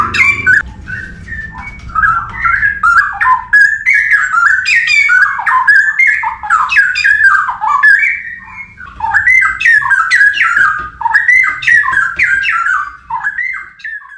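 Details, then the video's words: Song of a straw-headed bulbul in the forest: strong, melodious warbling phrases with rich rising and falling whistles, flowing steadily with a brief lull midway, and faint low background noise. "KICAUAN CUCAKROWO HUTAN"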